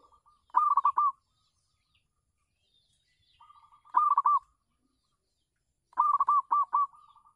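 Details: Zebra dove of a local type singing on a home terrace, used to lure other doves: three quick trilled cooing phrases of clipped notes, spaced roughly every two to three seconds, with soft quieter coos between phrases.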